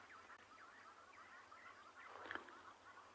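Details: Distant crested francolins to the south giving alarm calls during a sunrise safari in South Africa, 7 April: harsh, rasping notes repeated in a quick chattering run, faint against steady background hiss.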